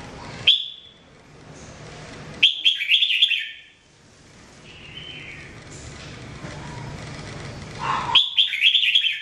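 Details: Red-whiskered bulbul, called jambul, a bird kept for song training, singing short bright warbled phrases of fluttering notes around a few kilohertz, separated by pauses of one to two seconds, over a low background hum.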